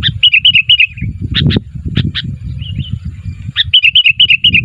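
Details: Sooty-headed bulbul calling for other bulbuls to reply: quick series of bright chattering notes at start and end, a few separate sharp chirps between, with some low thumping noise behind.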